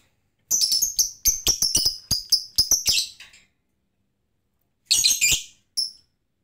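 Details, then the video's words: Lovebird that only ticks (ngetik) and won't ngekek without a lure: a fast run of about a dozen loud, shrill chirps over three seconds, a pause, then a short harsh burst and one last chirp. "Lovebird ngetik malas ngekek tanpa pancingan"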